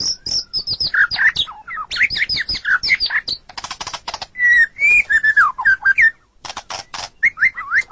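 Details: White-rumped shama song used as training material for captive songbirds, varied and rich: high whistles, looping mid-pitched warbles, rapid dry rattling bursts and slurred phrases, delivered almost without pause.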